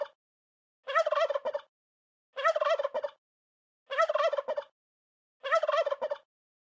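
A turkey gobbles in rapid rattling bursts, each under a second long, repeated about every one and a half seconds with silence between.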